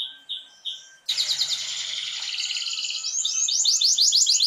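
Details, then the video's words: Canary song to stimulate canaries to sing: a few soft whistled notes, then a loud buzzing trill that builds into rapid repeated downward-sweeping notes. "تحفيز طيور كناري على التغريد"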